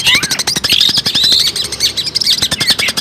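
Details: On this lure compilation for catching birds, a long-tailed shrike sings at full intensity: bursts of shrill chirps and thin drawn-out whistles over rapid clicking notes, continuous throughout.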